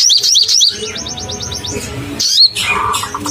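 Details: Crimson sunbird in full song, used as a lure to excite caged sunbirds: rapid sharp high chips and a quick run of upslurred notes, then a brief pause and a bright burst of high twittering with a lower buzzy phrase.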